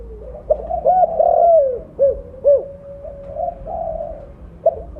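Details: Spotted dove, a mottled-plumaged bird kept as a lure caller, giving loud low cooing phrases: short hooted notes then a long drawn, falling coo, followed by further brief coos and a quiet, steady background hum.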